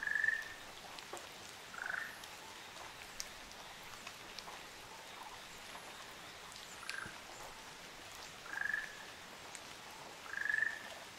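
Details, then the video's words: On Amami Oshima, Japan, a pair of Ryukyu Ruddy Kingfishers gives short, rolling trilled calls spaced irregularly over about eleven seconds, fainter at times, amid steady dripping rain. "リュウキュウアカショウビンのカップル Ruddy Kingfisher"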